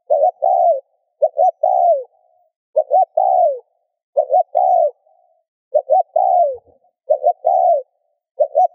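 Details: Spotted dove coo for stirring other doves to coo: about six phrases of two short clipped notes and a long falling note, some followed by a faint trailing hum, with one soft low knock.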